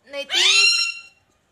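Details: Indoor pet parrot imitating speech by saying its owner's name: a short lower syllable, then a longer rising, vowel-like cry that holds steady for about half a second before fading.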